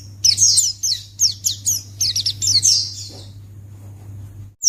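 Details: White-eye chirping used to lure other white-eyes into responding: a dense run of bright, high twittering notes for about three seconds, then quiet apart from a low background hum.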